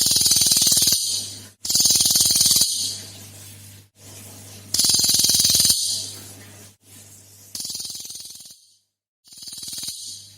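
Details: Cililin singing as a lure recording for other birds: repeated loud, grating, buzzy bursts about one second long, coming in quick succession with short pauses, over a constant low hum.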